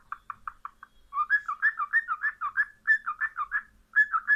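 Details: Cockatiel opening with quick short chirps, then a long continuous chain of looping, warbled whistles rising and falling in pitch, a brief gap, and three more curved whistles.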